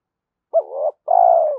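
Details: One phrase from a spotted dove, recorded to stimulate decoy birds: a short peaked note sliding into a murmur, a brief pause, then a long level coo fading at the end.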